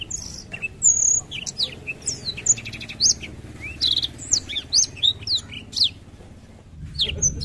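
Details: Continuous 'ngerol' singing from a Black-throated canary: bursts of bright, high twitters and rattling trills in quick phrases, a brief pause near the end, then more chirps over a low steady rumble.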